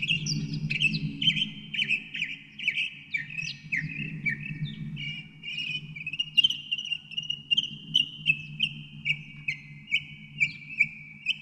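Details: Northern mockingbird delivering a long run of sharp, clipped notes, first varied and then repeated about twice a second for many seconds, with a faint low rumble underneath.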